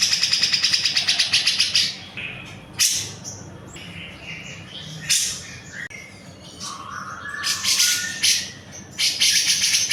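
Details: Cucak jenggot in energetic song used as a tutor recording: a rapid rattle of high ticking notes, then harsh bursts, softer scratchy notes, a brief rising whistle, and more hoarse chatter.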